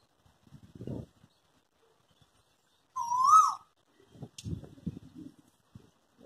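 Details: Cuckoo feeding on fruit in a tree alongside a squirrel, giving one clear, loud rising whistled note that bends upward and then drops, between soft rustles and light tapping.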